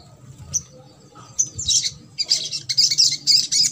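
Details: Ruby-cheeked sunbird singing trotol, played to get a quiet sunbird to sing: a few isolated thin chips, then fast, high, rattling twitter phrases repeated several times a second.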